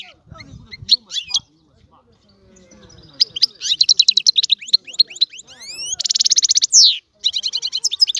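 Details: Quiet scattered chirps and faint low rumbling open, then a European goldfinch launches into fast tinkling twitters, rising whistles and a long dry buzzy trill before more quick bright notes.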